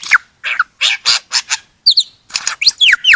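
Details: Lyrebird, a forest bird from Australia, delivering a varied burst of loud separate phrases: sharp downslurred whistles, bright buzzy chirps and ringing notes in quick succession with short gaps, no other sound clearly heard.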